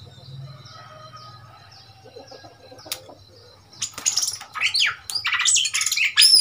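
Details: Caged Oriental magpie-robin taken from the wild in Thailand, quiet at first with faint high notes, then bursting into loud, varied whistled and chattering phrases over the last two and a half seconds.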